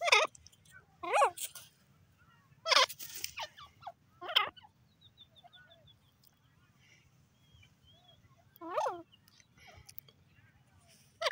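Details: Francolin (dakhni teetar) calling: loud harsh bursts with stacked, chevron-shaped notes, given in groups a few seconds apart, with faint chirps and a low hum in the quiet gaps.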